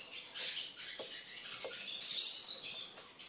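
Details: Tame caged Eurasian siskin singing a short burst of busy, chattering high notes, rising to a louder wheezy squeal about two-thirds of the way through.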